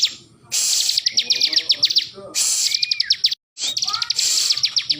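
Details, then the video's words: A bar-winged prinia, held in its owner's hand yet still singing, gives rapid bursts of high, dry ticking notes mixed with short rising whistles in three quick phrases; a person's voice is faintly heard. "ciblek gacor ||di tangan saja burung ini masih tetap bunyi"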